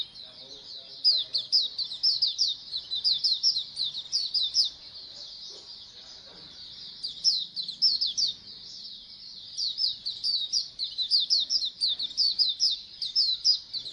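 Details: Dense chattering of a flock of Oriental white-eyes, used to prompt birds into frequent singing; high, thin twittering notes pile up without pause for long stretches, rising and falling in loudness.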